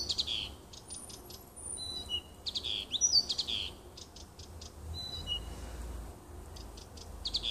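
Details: Nightingale song from a little woodland beside a home, recorded 30 June 2015: rapid clicking strokes, rich slurred whistles and separate thin pure notes, delivered in quick uneven bursts over faint low background rumble.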